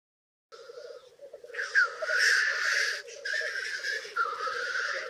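Black Grouse give a continuous low, rolling bubbling coo, broken by loud, harsh, hissing sneezes repeated every second or so.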